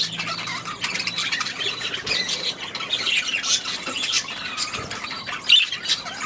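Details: Flock of budgies kept in an aviary, calling together in a steady mix of scratchy warbles, squawks and short chirps, overlapping with no pause.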